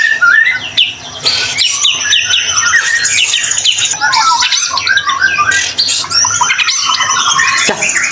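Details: White-rumped shama in a constantly singing (gacor) state, its song used to prompt other shamas to sing: a dense, unbroken stream of varied whistles, sweeping slurs and sharp chattering notes, fast and loud throughout with brief dips.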